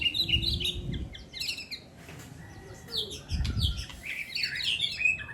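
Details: Dense, high twittering and sharp chirps from songbirds in a song contest, coming fast and irregular, with a short quieter gap midway and low background noise.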